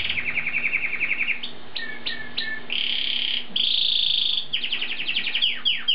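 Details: Asian pied starling (jalak suren) in full, lively song: fast rattling harmonic trills, squeaky downslurred notes, long grating buzzes and a quick stuttering chatter, all over a faint steady hum.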